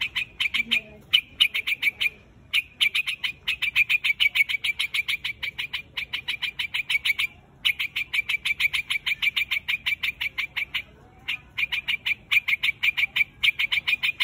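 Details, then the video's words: Quạch mốc bird with a white head calling the flock, giving long fast series of short harsh chirps at a steady clip, broken by a few brief gaps, steady throughout. "Tiếng chim quạch Mốc"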